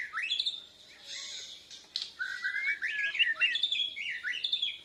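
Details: Captive Borneo white-rumped shama, still learning its song, answering a lure recording with puffed chest: rising whistled sweeps and rich warbled phrases, flowing almost without break.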